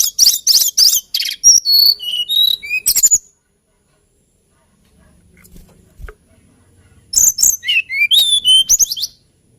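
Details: Two long strophes of hill blue flycatcher song, quick chattering high notes running into sweet descending whistles, with a quiet gap of several seconds between them.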